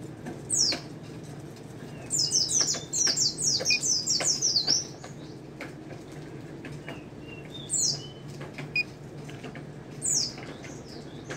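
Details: White-eye song in the 'ngalas nembak' style: a long run of quick, shrill downslurred whistles about two seconds in, then isolated sharp high notes later, with clicking sounds and low constant hum beneath.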